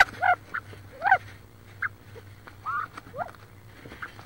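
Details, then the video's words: Wood duck hen sitting on about 18 eggs inside a nest box near Richland, Washington, squabbling with another hen: scattered short rising and falling squeals, some with bright overtones, separated by pauses over a steady low hum. "Another Hen Squabble"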